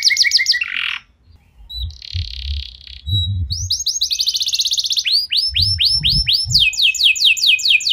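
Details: Canary lure song, 'nembak' style, played to make other canaries sing: short trills and a harsh buzz, a steady buzzy tone, then fast rattles and looping down-swept notes, with soft low thumps underneath.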